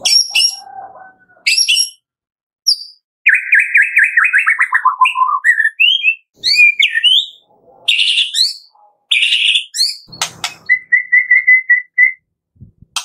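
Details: Afternoon 'tembakan' song of a white-rumped shama, meant to provoke singing: high chattering notes, a long descending trill, rising whistles, buzzy bursts, then an evenly repeated run of short mid-pitched notes, with occasional knocks.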